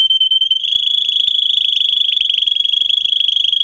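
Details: A singing canary, recorded for teaching young birds, delivers one long, even, rapid high trill on a steady pitch, lasting several seconds without a break.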